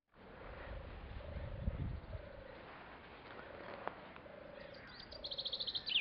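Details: A single European turtle dove at Otmoor RSPB purrs low, rolling 'turrr' notes in groups of two or three. A higher trilling songbird joins at the end, over some low rumble.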